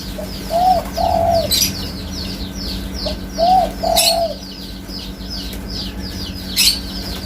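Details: Spotted dove repeating its cooing phrase twice about three seconds apart, each a faint lead note and two mellow arched coos, amid sharp clicks and steady high, descending twitters of other birds.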